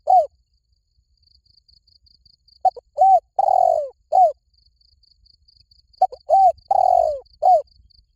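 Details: Liu tan style song of a spotted dove, meant to lure a bird into calling back: two matching cooing phrases about three seconds apart, each short notes, a long sliding-down coo and a short end note, with a constant high insect whine.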